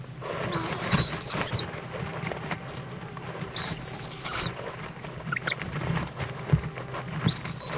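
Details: At 7:20 pm on 11 February 2014 in Indiantown, Florida, as the mother owl returns with a bug for her owlet, an owl gives three high, thin, wavering squeals, spaced a few seconds apart over a faint steady hiss.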